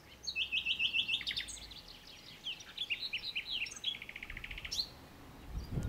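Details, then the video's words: Common nightingale singing rich, varied phrases: high sweet notes, quick trills and a fast run of repeated chirps, over a faint low rumble; finding: common nightingale. "Κελάηδημα αηδονιού"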